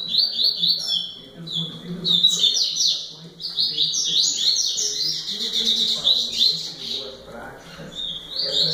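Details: Double-collared seedeater delivering a long, energetic series of high, rapid slurred chirps and trills in repeated phrases with short breaks, with a low background murmur.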